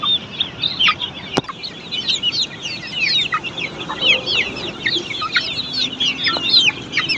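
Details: Many Australorp chicks at a poultry farm, cheeping nonstop with high, piercing, slurred peeps layered over one another, one sharp tap early on and a low faint hum underneath.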